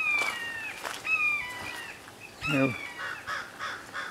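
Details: A hawk yells at a grackle along a creek green belt on a cold December 21: two drawn-out, slurred screams falling in pitch, then shorter harsh calls, with a brief human voice in between.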